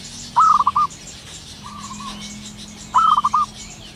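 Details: Zebra dove heard in the wild at morning, giving two lively stuttered phrases of five or six fast cooing notes about two and a half seconds apart, a softer trailing coo answering between them.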